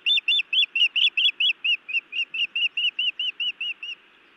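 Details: A female osprey scolds her mate at the nest, Montana, evening of 31 May 2017; rapid piercing chirps soften into lower, slurred, arching whistles before stopping, over faint background hiss.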